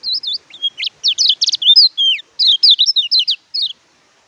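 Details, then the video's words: Oriental white-eye song, kept as a master track to coax reluctant caged birds or newly caught wild birds into singing; rapid high twittering, looping whistled slurs and trills, clean, ending in silence. "BURUNG KECIAL KUNING MACET BUNYI PAKAI MASTERAN INI"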